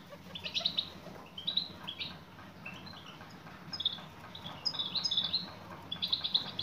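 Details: Female European goldfinch calling to a male; scattered short, high chirps and twittering notes come in loose clusters across several seconds, fairly soft against a low steady hum.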